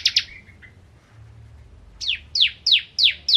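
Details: Bar-winged prinia (ciblek kristal) in lively full song, kept as a tutor recording for training oriental magpie-robins: two sharp high chips, a short trailing note, a pause, then five loud downslurred whistles about every third of a second over a faint low hum.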